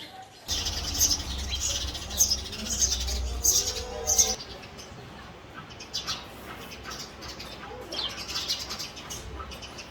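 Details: Male house sparrow chirping: a run of sharp, high chirps in the first four seconds, with a low rumble beneath, then softer, scattered chirps.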